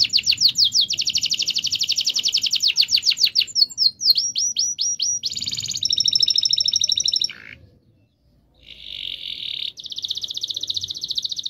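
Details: Canary in long rolling song meant to set quiet canaries singing: fast rattling trills and descending sweeps, a buzzy rolled passage, a brief pause, then renewed buzzy trills.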